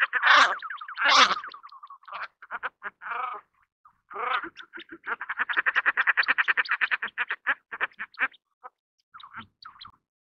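Common Shelduck: two loud harsh opening calls, then a fast run of nasal, cackling notes, about a dozen a second, ending in a few scattered yelps.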